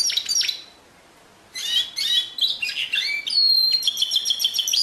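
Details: Canary song with short bursts of twittering and slurred notes, a second of silence, then varied chirps leading into a rapid pulsing whistled trill.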